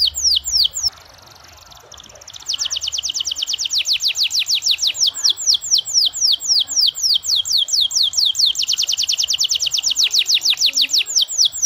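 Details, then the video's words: Steady-singing canary whose long, ornate song is used to trigger other canaries into song. A brief pause, then a dense rolling trill of quick falling whistles runs on for about nine seconds. "Cukup 5 detik kenari manapun akan ikut gacor dengan pancingan kenari gacor ini"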